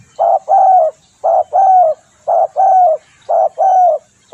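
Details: Tekukur, the spotted dove, calling as a lure for catching birds: steady paired coos, a short note then a longer slightly falling one, repeated in a regular rhythm about once per second.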